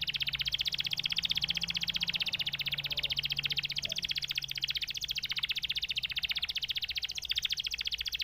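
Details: Canary producing a long rapid rolling trill, evenly pulsed and unbroken, holding steady for over eight seconds above a quiet low hum.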